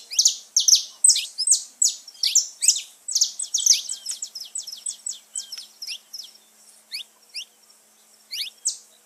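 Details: Saffron finch (Sicalis flaveola) song: a fast tumble of sharp, high chirps and metallic notes that thins after a few seconds into spaced, rising chips.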